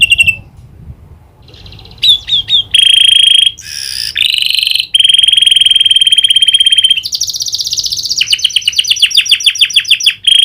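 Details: Canary with prinia clicking call imitation: long steady whistled trills and buzzy rattles, ending in a fast series of repeated clicking chirps.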